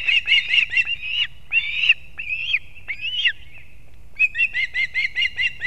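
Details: Osprey pair at a nest in Kurzeme, Latvia, at 6:40 am on 3 September 2024, as the male brings two fish at once to the chicks. Rapid bursts of sharp whistled chirps break into longer slurred, rising calls, then a quick even chirping series.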